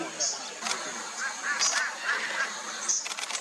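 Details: Yellow-vented Flowerpecker calling with sharp, very high, short ticks at irregular intervals, and a few lower, brief chirps in between. A steady hiss of broadband background noise runs throughout.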